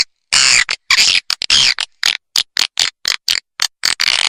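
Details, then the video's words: Swiftlet lure-call recording for swiftlet farmers, meant to attract birds: harsh, buzzy, high-pitched chirps and twitters in quick irregular bursts, about two a second, with brief silences between. "Terbukti Efektif Sedot Burung Walet| Swiftlet Voice"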